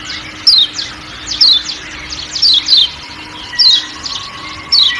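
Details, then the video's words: Thin, bright downslurred chirps from a Lombok kecial kuning white-eye, in short clusters at irregular intervals, with a forest hiss and a faint hum underneath. "Kecial Kuning Ciak Ciak Dan Suara Hutan"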